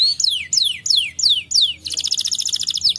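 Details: Five loud, slow, falling whistled notes from a canary, spaced about a third of a second apart, followed by a rapid high buzzy trill; faint low background hum.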